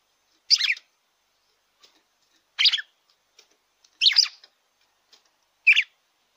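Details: Song of a red-cowled cardinal, used to rouse a caged bird: four brief, sharp, chirpy warbled bursts spaced about one and a half seconds apart, quiet background.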